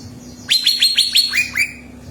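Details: Greater green leafbird song meant to prompt another bird to sing: a series of about seven quick, upward-sweeping whistled notes, each sliding sharply up, with a soft background hum.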